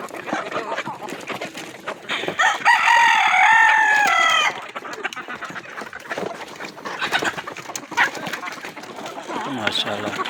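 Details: Rooster crowing: one loud, drawn-out crow of several stepped, harmonic-rich syllables in the middle, with a busy, noisy background of clucks and rustling before and after.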